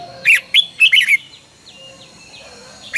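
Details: Morning training song of a red-whiskered bulbul: a fast sequence of five bright warbled notes, then quiet with faint distant chirps, and one more sharp note at the end.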